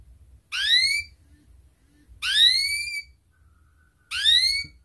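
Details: Atlantic canary, recorded as a lure for other canaries: three separate clear rising whistled notes, each about half a second long, spaced nearly two seconds apart, over faint low background rumble.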